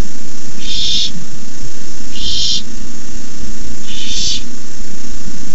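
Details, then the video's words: Young barn owls at their nest at night, 18 May 2015, hissing while an adult brings in a rabbit: three rasping, airy hiss bursts spaced about 1.6 seconds apart, with constant low-pitched hum beneath. "Owlets hiss"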